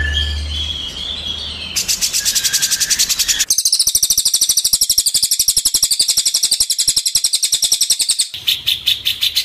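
Cililin song: very high, rapid runs of sharp ticking notes, about ten a second. Stretches of fast, shrill trilling follow one another with brief changes in tone.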